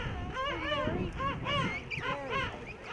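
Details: King penguins calling in a large breeding colony among tussac grass at Salisbury Plain, South Georgia: loud, quavering trumpet-like calls rising and falling in pitch, several bursts overlapping over a low background murmur.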